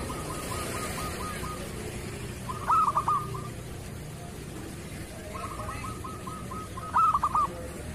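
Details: Local zebra dove in the kerot singing style, used to prompt reluctant or moulting doves to sing: a soft, steady stream of rapid staccato notes, broken twice by short, loud bursts of stuttering coos.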